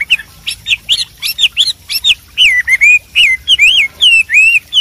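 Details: A wild Horsfield's babbler gives quick, chattery high notes, then clear slurred whistles that rise and fall, several per second, with no other sounds.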